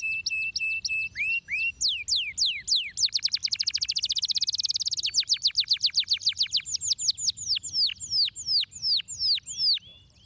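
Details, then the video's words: Canary in a stimulating song: high whistled notes and repeated downward-sweeping strokes, breaking into a fast, rattling trill of rapid identical notes midway, then slower, evenly repeated sweeps, loud and clean against a quiet background. "O poderoso tweet do Canário para estimular o som do chilrear dos pássaros presos"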